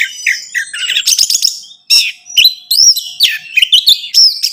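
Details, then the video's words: Orange-headed thrush song used to stimulate a caged bird into singing: a rich, varied medley of fast chattering notes, sharp high whistles and slurred phrases, with a short pause near the middle. "Merangsang ANIS MERAH Berani Bunyi, Saat Diputarkan Kicauan Ini dalam Beberapa Menit."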